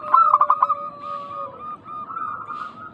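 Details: Vigorous local zebra dove song used as a lure for answering birds. A quick staccato burst of coos opens, then a smooth rolling trill, overlaid by a steady lower-pitched tone from another dove.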